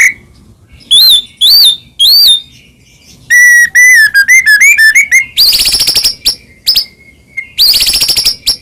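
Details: Song of a white-rumped shama used to trigger singing in other shamas: arched whistled notes, a fast jumble of varied whistles, then loud bursts of rapid buzzy rattling notes separated by short gaps.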